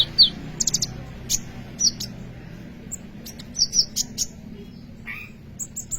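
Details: Singing kolibri ninja sunbird, a bird kept as a lure for teaching songs to other birds. Bright high chips and clipped twitters come in small clusters separated by brief pauses.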